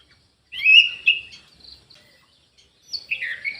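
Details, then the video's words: Aviary Orange-headed thrush giving a short whistled phrase with trailing softer notes, a quiet gap, then another rising, warbling phrase. "ANIS MERAH GACOR"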